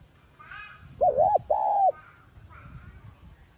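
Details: Spotted dove calling to lure and stir a decoy bird into cooing: a two-note coo, a wavering first note then a longer steady second note, with faint bird chatter before and after.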